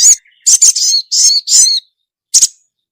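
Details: Female ruby-cheeked sunbird calling the male: loud high chirps and drawn-out buzzy notes in a quick cluster, followed after a pause by one doubled chip.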